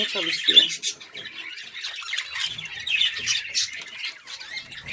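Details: Budgerigars kept and bred at home as a hobby, chattering in a dense, unbroken stream of high, scratchy warbles and squeaky chirps; a woman's voice briefly at the start.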